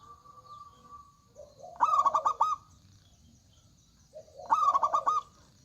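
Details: Local zebra dove in full song. Two loud phrases of rapid, ringing stuttered coos come about three seconds apart, each introduced by a soft low note, with faint cooing between them.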